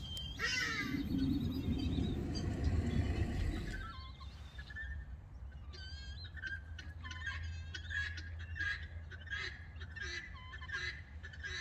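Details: Guineafowl in Gqeberha (Port Elizabeth), South Africa, calling from roosting trees at night. A burst of loud rough noise is followed by rapid, clipped, harsh clicking notes repeated about four times a second over a low background hum.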